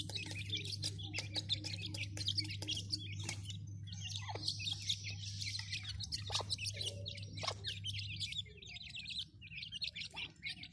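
Grey francolin chicks peep constantly in high, thin, overlapping cheeps. A steady low mechanical hum runs underneath and stops near the end.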